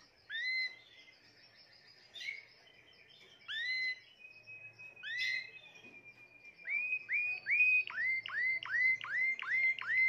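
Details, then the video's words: Timbrado canary, seventh bird of a 2020 collection, singing widely spaced upswept whistles, then a rapid run of about nine rising whistled notes repeated roughly every third of a second, with a steady sustained tone beneath. "تغريد طائر التيمبرادو"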